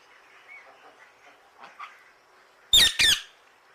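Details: Parrot with soft chatter at first, then two loud, rasping squawks close together near the end.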